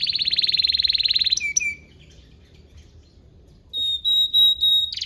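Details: Canary song used as a training recording to teach young canaries to sing: a fast, even trill, then a short falling note, silence, and a series of pure, steady whistled notes.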